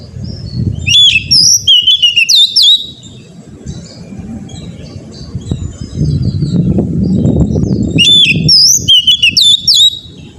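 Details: Oriental magpie-robin song as a training track for a caged bird: two separated bursts of loud whistled slurs and sharp notes, with a quieter murmur and low rumble between them.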